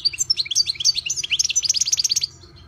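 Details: Kept European goldfinch, Carduelis carduelis, singing a rapid, tumbling run of bright twittering and tinkling notes that ends abruptly after about two seconds, leaving only a faint low hum.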